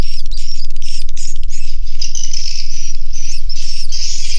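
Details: Inside a swiftlet house, a crowd of swiftlets keeps up a continuous dense mass of high chirping and twittering, with small rattling bursts. A steady low mechanical-sounding pulse runs throughout.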